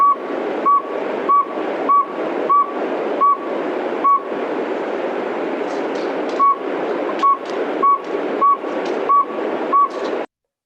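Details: Northern Saw-whet Owl, a small owl sized between pygmy and screech owls, gives about a dozen short, even, mid-pitched toots, roughly two per second, with one pause, over a steady hiss.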